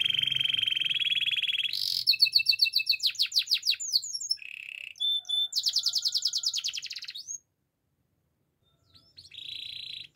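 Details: Gloster canary song opening with a long even rolling trill, then choppy pulsed trills and a brief buzzy phrase. A gap of silence follows, then one more soft roll.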